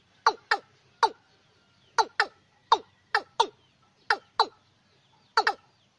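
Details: Watercock luring call for night use: hollow, descending notes given mainly in close pairs, about five pairs over six seconds with short gaps.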